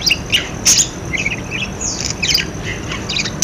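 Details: Budgerigar calls played to prompt silent budgerigars to start calling: quick chirps, squawks and short warbled notes in irregular bursts, with a few louder sharp squawks near the start and a steady low background hum.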